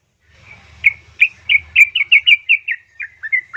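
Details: Female yellow-vented bulbul calling to a male, played as a lure to get reluctant bulbuls singing: a quick series of about a dozen short, bubbly, slurred notes at an even mid-high pitch, with low background hum.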